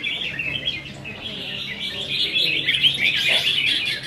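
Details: At a practice singing contest of caged red-whiskered bulbuls on 15 May 2021, several birds trade lively twittering, chattering phrases that swell toward the end of this short stretch.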